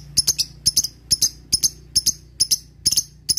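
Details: Lovebird lure calling: crisp high chirps, often doubled, repeated a little over twice a second over a low background hum.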